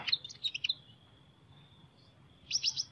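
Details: Sunbird singing in an unusual voice: a quick burst of high, thin chirps at the start, a pause with a faint steady high whine in the background, then another short cluster of sharp chirps.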